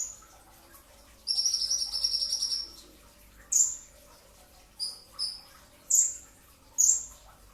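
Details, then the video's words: Before dawn, a brown-throated sunbird sings for a training recording: a long high trill, then five sharp, piercing downward-slurred notes at irregular intervals. "masteran pedas kicau konin dacok, kolibri ninja 2tak dada coklat full tembakan rapat di saat sahur"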